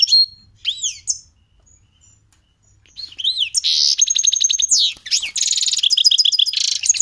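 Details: A caged goldfinch × canary hybrid, sung in cold weather and said to have copied canary notes, gives a fast, varied medley of bright twittering trills, buzzy rolls and high whistled notes, with a brief pause after the opening phrases.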